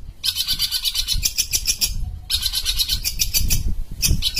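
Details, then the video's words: Sumatran long-tailed shrike in full song: long runs of rapid, harsh, buzzy high notes, broken by a short pause near the middle, over low background rumble. "Pentet sumatra gacor"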